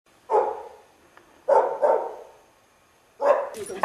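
A sulphur-crested cockatoo imitates a dog: five rough, gruff barks in quick bursts over four seconds, some single and some in pairs.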